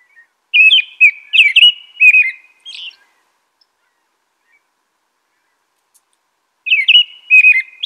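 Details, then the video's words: Bright, liquid whistles from an American robin, five phrases in quick succession, a long silent gap, then the song resumes with another rapid run. "American Robin Song.(Turdus migratorius)."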